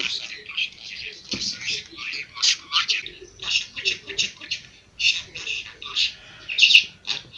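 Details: Caged pet budgie, described as talking in Kurdish, gives a continuous stream of thin, buzzy, speech-like syllables, each lasting a fraction of a second, run together in quick uneven phrases.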